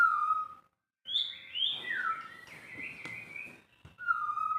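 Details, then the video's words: White-rumped shama song with clear whistled phrases, a steady note near the start, then sliding, warbled notes rising and falling, ending on another level whistle after a short pause. "proses bunyi harus sabar,telaten"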